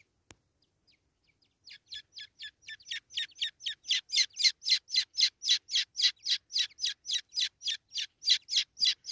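A francolin chick gives a steady series of shrill, high peeps, nearly four a second, growing louder as it goes, with no other sounds.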